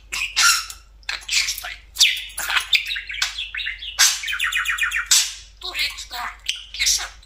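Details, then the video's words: Pet talking budgerigar perched on top of its favourite cage indoors, giving a dense, fast chatter of scratchy, buzzy and whistled notes in quick bursts with brief gaps; a short rattling stretch near the middle. "Говорящий Попугай"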